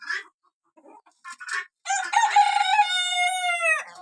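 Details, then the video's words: Small roosters: a few short raspy clucks, then one long loud crow that holds steady and drops off abruptly at the end. "sounds of roosters"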